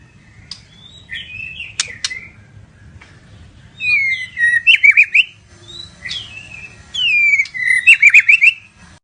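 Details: White-rumped shama whistling varied slurred phrases, some descending, others ending in short fast trills, spaced by pauses of a second or two.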